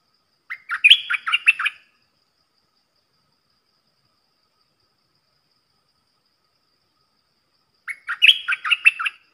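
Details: Red-whiskered bulbul kept as a decoy, its song played for young birds to imitate and to attract wild birds; two quick chattering whistled phrases separated by about six seconds of silence.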